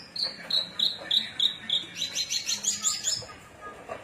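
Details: Cing ciu song of a Cilacap Javan bush lark: a steady series of high, clear falling notes about three per second, ending in a quicker chattering run.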